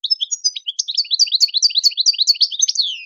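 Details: Continuous high, liquid twittering from a European goldfinch singing in the Tadmait style, meant to teach young birds to sing without mistakes; rapid chirps repeat about twice per second and end on a falling slur.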